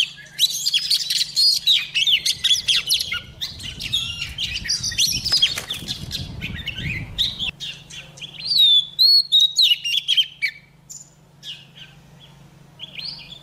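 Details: Female white-rumped shama singing to stir caged males into song: varied whistled and chirpy phrases with sliding notes, bursts through the first half, a pause, then more phrases, over a steady low electrical hum.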